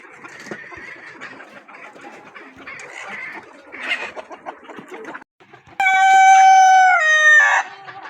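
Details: Quiet clucking and scratching in a coop, a brief silence, then a rooster delivers a powerful, level crow lasting nearly two seconds that drops sharply at the end.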